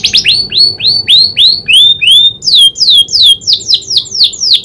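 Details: Canary singing a prinia-style clicking phrase it was taught: steady series of loud, sharp downslurred whistled notes, about three per second, becoming faster and more strident toward the end.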